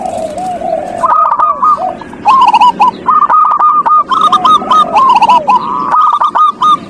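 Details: Zebra dove lure song meant to prompt a silent dove: a low slurred coo gives way to dense, rhythmic strings of short looping notes from several birds singing together, with faint higher chirps.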